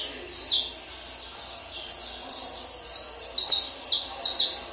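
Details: Tournament-trained Peruvian saffron finch delivering high, sharply descending chirped notes in a regular series, about two per second, each note clean and emphatic.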